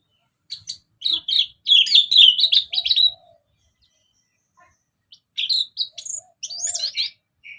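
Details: Orange-headed thrush singing in the ngeplong style, sung continuously as a lure: rich varied warbled phrases of quick whistled notes, a long rapid burst, then a pause and a second sweeping, jumbled phrase.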